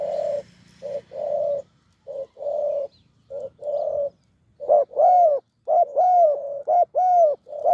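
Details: Two voices of spotted dove during decoy trapping of a deep-voiced wild bird: flat steady coos at first, then brighter rising-and-falling hoots in quick short-long pairs.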